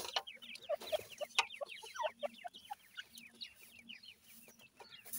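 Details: Twenty-eight-day-old francolin chicks feeding in a yard: a dense chorus of short, high, downward-slurred peeps from many chicks, overlapping in quick succession, with sharp clicks and a low steady hum underneath.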